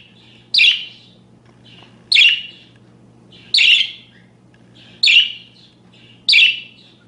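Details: Budgerigar chirping, used as a tutor sound for training other caged songbirds: five sharp, harsh, buzzy chirps spaced about one and a half seconds apart over a faint low hum.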